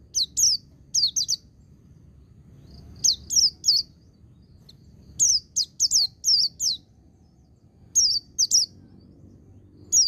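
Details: Repeated white-eye song phrases for training, each a fast cluster of three to five thin, high, downward-slurred whistles, recurring every second or two over low background hum.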